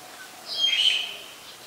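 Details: Black-collared starling (Gracupica nigricollis) in Ubon Ratchathani, Thailand, 25 December, gives a single harsh, raspy call under a second long, high-pitched with a thin whistled edge, over faint background hiss.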